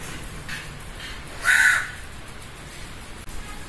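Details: A single loud, harsh crow caw, short and rasping, rises from a steady background hiss midway through; nothing else calls.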